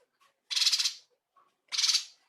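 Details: Cungkok bulbul in full voice with rich filler notes, recorded as a tutor for training songbirds; two harsh, rasping bursts, each about half a second, separated by a pause with faint soft notes between.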